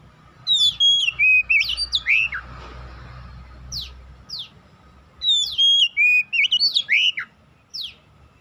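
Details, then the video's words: Lure song of an oriental magpie-robin, meant to spur untrained birds into singing: a rich run of whistles and downslurred chirps, a quieter gap with faint background hiss, then another bright whistled phrase. "PANCINGAN Kacer bahan cepat gacor"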